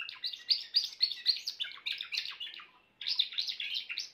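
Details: Fast, bright rolling song from a grey Timbrado canary, a string of trilled phrases broken by a brief pause near the third second before resuming at full strength.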